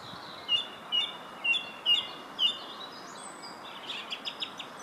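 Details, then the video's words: In Herttoniemi a song thrush repeats a sharp whistled note five times at roughly half-second intervals, then breaks into a fast, faint twittering run over constant low hiss. "Laulurastas Herttoniemessä"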